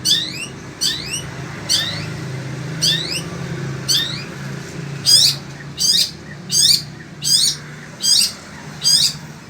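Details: Sembur-type Long-tailed Shrike, a caged Indonesian songbird, keeps singing in desert-like heat. It repeats a short phrase of rising whistled slurs and sharp chips about every three-quarters of a second, growing louder toward the end.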